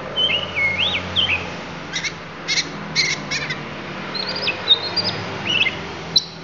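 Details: Lampung oriental magpie-robin singing isian: looping whistled phrases, then a series of short scratchy clicks spaced about half a second apart, ending with more thin whistles and a sharp tick.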